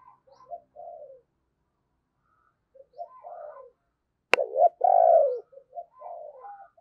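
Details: Lure spotted dove calling wild doves in thúc and gáy style: soft broken coo phrases, a pause, a sharp click, then a loud burst of two throaty coos trailing into quieter notes.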